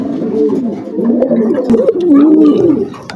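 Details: A flock of farm pigeons producing a steady murmur of soft, gurgling coos, the phrases overlapping and wavering up and down, with occasional knocks.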